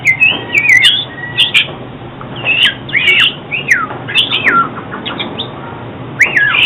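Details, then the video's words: Oriental magpie-robin song for trapping and song training: loud looping whistled phrases with swooping up-and-down slurs, repeated in bursts about every second, with occasional clicks and a quieter middle stretch. "Tiếng chích chòe than chuyên dùng đi bẫy và luyện giọng chim hót hay mỗi ngày"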